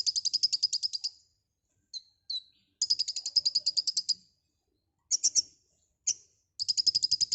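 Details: Lively white-rumped shama song: rapid high chattering trills broken by a few sharp clipped notes and short slurred whistles, with the trills returning again and again.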